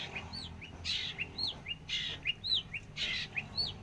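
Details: Very active long-tailed shrike mixing short, whistled, arched chirps with loud, harsh, rasping bursts recurring about every second, over a low steady background hum.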